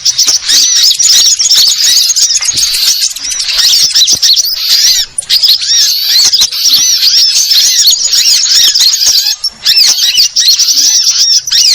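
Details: Sunbirds calling in a dense, continuous chorus of thin, high-pitched twittering and chirping. Quick rising and falling notes overlap almost without pause, with only a couple of short gaps.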